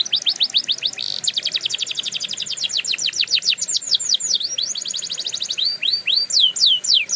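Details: Training song of a canary: dense runs of fast falling notes repeated several times a second, later loosening into wide V-shaped rising and falling whistles at a slower pace.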